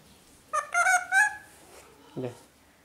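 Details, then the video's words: Talking parrot mimicking words like mummy and papa: a short sharp note followed by two bright, nasal, speech-like syllables, then a brief low voice in a quiet indoor setting. "Mummy papa bolne wala tota parrot talking mummy papa papa bolne wala mitthu parrot sound mithu"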